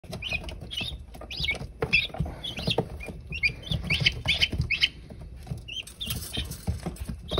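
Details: Newly hatched guineafowl keets, hatched April 28, 2022: thin, high peeps repeated irregularly, several chicks overlapping, over a steady rustling and tapping background noise.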